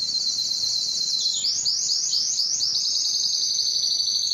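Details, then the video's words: A Belgian canary delivers a rapid high trill, then shifts to a run of rolling, swept notes repeated steadily through the rest of the phrase. "som do canario belga"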